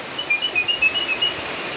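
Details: Tame sooty-headed bulbul in rainfall: a brief run of about eight thin, high chirps alternating slightly in pitch, over a steady rain hiss.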